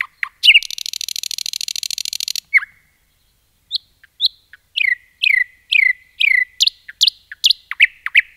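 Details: Forest song of a common nightingale. A rapid, throbbing rattle lasts about two seconds, then a pause. Next comes a lively series of sharply descending whistled notes, repeated in quickening succession. No other sounds.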